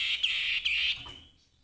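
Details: Grey-headed babbler giving a harsh, buzzy, scolding note held for about a second, broken by two brief catches, then fading out.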